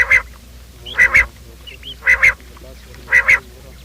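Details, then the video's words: Quail morning call used as a lure for trapping: loud paired nasal notes with layered harmonics, each pair about a second apart, repeated four times over a faint steady hum. "Bater ki awaaz , batair ki subbha keliey awaz 2025 , batair ki awaz , bater ka awaaz, quail sound"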